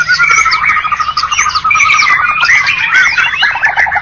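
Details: Contest-champion White-rumped shamas from Medan and Java sing dense, rich whistles, chirps and harsh squawky notes tumbling without pause, possibly several birds singing over one another.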